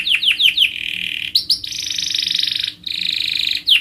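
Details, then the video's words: Canary song for training contest singers: a few quick descending whistled slurs, then long steady high rolling trills broken by a short gap and ending in more slurred notes. "Canary Mastering Sound for Bird Singing Contest"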